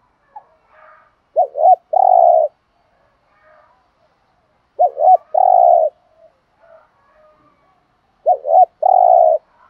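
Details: Repeated spotted dove coo used to lure and excite other doves: three phrases of a quick double note plus a drawn-out hollow coo, spaced about three and a half seconds, with soft distant calls.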